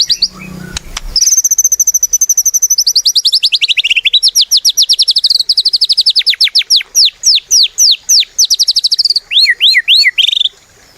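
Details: Actively singing white-rumped shama, meant as a lure to get other shamas singing: a long, rapid series of sharp high notes that slides gradually lower, then rises again and ends in a few looping whistles.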